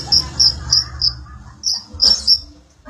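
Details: Sunbird, known locally as kolibri ninja or konin, used as song filler for magpie-robins: short high sweet notes repeated roughly every third of a second, then a brief burst of several quick notes, over faint low hum.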